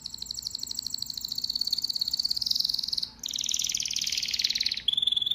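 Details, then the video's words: Male domestic canary, the pet form of the wild canary, delivering sustained high, rattling rolls made of fast repeated notes, broken by a short pause, then another dense roll and a final clipped series of notes. "Canary Singing birds sounds at its best | Melodies Canary Bird song"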